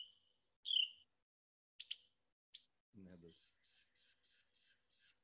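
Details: Carolina Wren scold call, one of its many vocalizations: a few sharp chips, then a harsh, buzzy scold of about six rasping notes, roughly three per second. A person's voice cuts in briefly.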